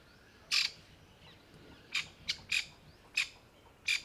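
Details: A grey francolin mother, sitting camouflaged among dry leaves in summer heat in India, panics for her new-born chicks gathered around her. She gives six harsh, rasping squawks at uneven intervals over four seconds over a quiet background.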